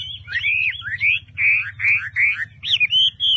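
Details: Chinese hwamei in captivity giving slow, separate whistled phrases, some slurred downward and some rising, each about a third of a second long with short gaps, ending on a sustained clear whistle; steady low hum.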